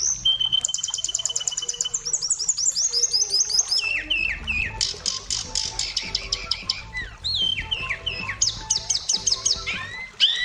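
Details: Long energetic gacor isian song of an Oriental magpie-robin (kacer): rapid trills, buzzy chatters and twisting whistles strung together almost without pause.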